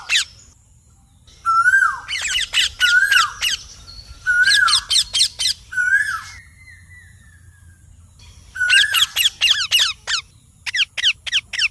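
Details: Loud parrot chirping mixes dense harsh squawk bursts with lower whistled notes that rise then fall, a long downward slur near the middle, and a closing run of thin rapid chirps.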